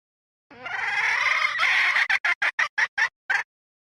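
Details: Lure call of a red junglefowl hen for the 2024 season: a drawn, scratchy, harmonic note of about one and a half seconds, then seven brisk, harsh clucks in quick succession.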